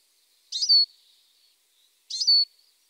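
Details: Eurasian siskin (Spinus spinus) call: two high, thin notes about one and a half seconds apart, each a brief buzzy start drawn out into a clear, slightly falling whistle.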